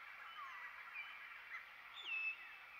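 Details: Wild Asian fairy-bluebird in its natural habitat giving a short, bright whistle that bends upward and then levels off, heard against a steady insect drone and soft background bird notes.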